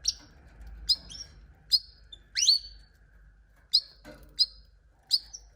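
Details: Canary uttering a series of crisp, high chirps, some doubled, spaced roughly a second apart, with a brief soft rustle partway through and a low steady hum behind.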